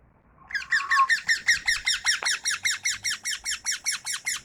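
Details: Indoor tame parrot starting with a short level whistle, then launching into a long rhythmic run of harsh buzzy chirps, roughly five every second, steady and unbroken.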